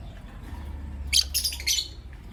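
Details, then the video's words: Lovebirds, a green Personata and a pastel white bird, calling in the morning: a short cluster of sharp, squawky high chirps, three bursts close together, over a low steady background hum. "Relaxing Lovebird Chirping Sounds from Green Personata & Pastel White"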